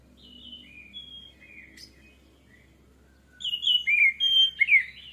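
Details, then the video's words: Lure recording of an orange-headed thrush to get birds singing: soft thin whistles at first, then from midway a loud rapid series of bright slurred whistles and warbles. "PANCINGAN ANIS MERAH MEMICU CEPAT BUNYI DAN GACOR!"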